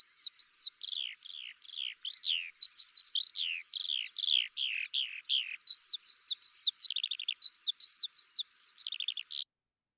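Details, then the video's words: Eurasian Skylark pours out an unbroken, high, rapid warble of chirps, down-slurred notes and quick buzzy trills, about two or three notes per second; this long, pleasant song is often given in flight and is heard in both spring and winter. "Some of you might know the sound of a Skylark as its lovely long and pleasant melody is often given in flight. It can be"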